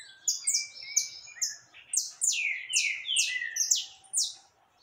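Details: Canário caboclo, the saffron finch, in vigorous song alongside loose birds: sharp high whistles, then a fast string of loud ringing downward sweeps, somewhat irregular in timing.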